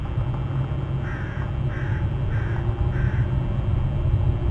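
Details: Eagle calling at its nest on Hornby Island, nest camera: four short, rough notes at even intervals of about two thirds of a second, against constant low rumbling background noise.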